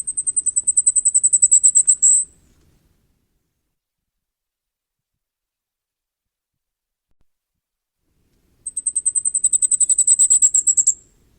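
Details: Two bouts from a common firecrest, each a quick string of needle-thin, very high notes about two seconds long that grows louder toward its end, separated by six seconds of silence.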